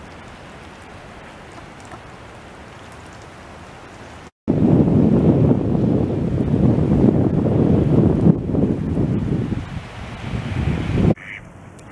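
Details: Steady wind roars against the microphone in a loud, broadband rush, with quieter stretches before and after and no clear animal calls.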